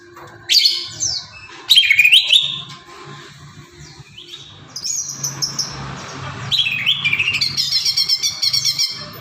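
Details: Greater green leafbird song meant to rouse caged birds into singing: loud whistled sweeps and bright chirps, then a scratchy rapid twittering passage of varied notes, with a low background hum.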